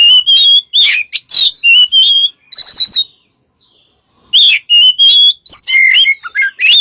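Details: Master recording of a white-rumped shama: rich whistled song of wavering and trilled notes, a brief pause midway, then more varied phrases.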